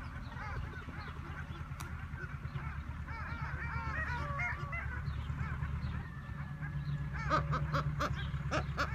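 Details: Greater Kelp Goose (Chloephaga hybrida malvinarum), a captive aviculture bird, gives short nasal honks and whistled notes in loose bursts over a steady low rumble, with sharper clicking sounds near the end.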